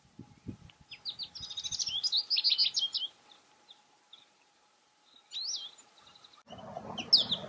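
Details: American goldfinch delivering a long, rambling song of high, thin twitters and slurred whistles, a brief pause, then more scattered notes while a low background noise rises at the end.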